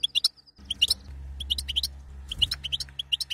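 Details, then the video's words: Mating-stimulation calls of a female European goldfinch, known as batbata: rapid, irregular high chirps and twitters, about ninety a minute, with a faint steady hum underneath. "بتبته لتهييج المقنين على التزاوج"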